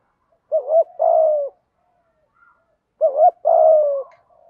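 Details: Spotted dove coos, male and female, played to attract wild birds; two matching phrases, each a short curled note and a longer falling coo, about two seconds apart.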